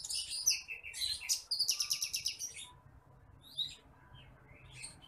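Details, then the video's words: Masteran of the titimplik bush lark, a grain-eating paddy-field bird: loud high chirps leading into a rapid, evenly spaced series of about ten sharp notes, then sparse soft chirps. "MASTERAN BURUNG BRANJANGAN APUNG (TITIMPLIK)"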